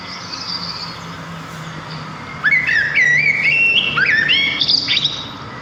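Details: Sparrows in the wild: a soft background trill, then a loud sequence of clear whistled notes, wavering, dropping and climbing again, over a faint low hum.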